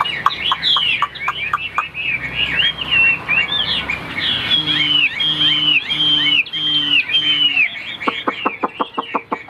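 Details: Chinese hwamei, a white-winged, white-tailed cage bird in Vietnam, singing high: sharp repeated chips, then arching whistled phrases, a short series of low humming tones, and a closing run of rapid clicks.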